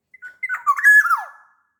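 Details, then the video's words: Sumbawa black-naped oriole in full song, used to coax other kepodang into singing: a single short phrase of liquid whistles that climbs, wavers, then slides smoothly downward. "SUARA KEPODANG GACOR"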